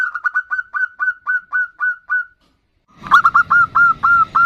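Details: Female zebra dove calling the male: clear, evenly spaced hooked notes repeated about four times a second, a short silence, then a louder, noisier burst of similar notes over low hum.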